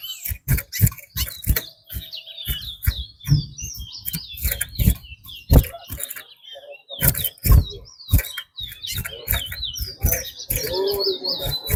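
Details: Chestnut-bellied seed finch (twa-twa) singing in a race at Rosehall, Guyana: a fast, continuous warbled twittering of wavering high notes, broken by loud clicks and taps throughout.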